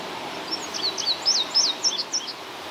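Indigo bunting singing a quick run of high, sweet, down-slurred notes, several given in pairs, lasting about two seconds over a soft background hiss.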